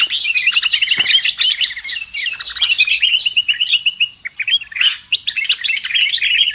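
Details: Trapping lure sound of sooty-headed bulbul: busy, bubbling chatter of quick twittered notes, continuous for several seconds, briefly interrupted by a sharp rushing burst before the chatter resumes.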